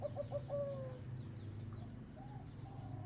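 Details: Zebra dove with a 'big voice' song: a quick run of short, low, bubbling coos that ends in a drawn-out falling note, then faint softer notes, with a constant low mechanical rumble beneath.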